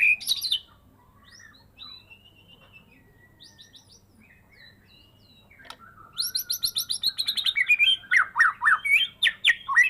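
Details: White-rumped shama of the Medan type, caged, hand-raised from a fledgling, after its first moult: varied whistles and warbles, then a rapid, loud burst of sharp repeated chips and slurred notes.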